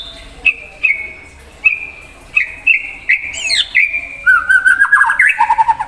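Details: Lively white-rumped shama singing to stir up an untrained shama: several level whistles at even pitch, then a rising burst and a quick run of varied, tumbling notes that drop lower toward the end.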